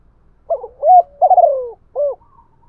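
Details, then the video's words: Decoy spotted dove calling to provoke a wild rival: one phrase of soft, hollow coos that opens with quick stuttered notes, rises into a drawn coo, wavers downward, and ends on a short rounded note. "Tiếng chim cu gáy thúc đấu với bổi, và gáy gọi dục bổi rất nhanh về cội"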